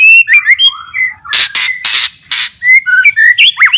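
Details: White-rumped shama song used to coax lazy, stressed birds into singing again: clear whistled and slurred notes, a burst of harsh noisy rasps in the middle, then rapid varied whistles and a looping downward-upward note.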